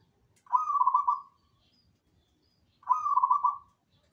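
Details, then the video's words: Zebra dove singing energetically: two bubbling, trilled coo phrases of steady mid pitch, each lasting under a second, separated by a pause of about one and a half seconds, against a quiet background. "KICAU BURUNG PERKUTUT GACORANNYA BUKAN MAIN LANGSUNG PASTI IKUTAN BURUNG YANG LAINNYA IKUT NYAUT"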